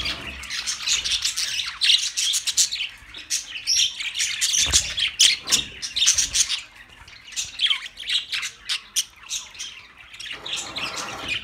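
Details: Budgerigar chatter: dense, rapid high chirps and scratchy warbles, often overlapping, with short bursts and brief pauses, including a quieter gap near the end.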